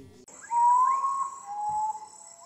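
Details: A Common Potoo in Brazil, a species that sings at night, gives a long, mournful whistle that holds steady, then steps down to a lower note, over a thin high insect drone and faint background music.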